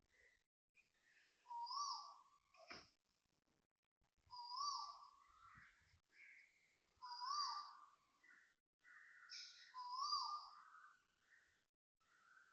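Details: At dawn, 6.23am on 13 December 2025, an Asian koel calls loudly in Toa Payoh, Singapore. Four rising whistled notes come roughly every three seconds, with other birds chirping in between and a sharp click near the start.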